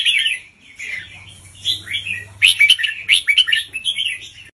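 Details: Slow doubled song from a caged red-whiskered bulbul teacher bird, played so young birds can learn it; a warbled opening is followed by a bright run of rapid bubbly notes, with a low hum beneath.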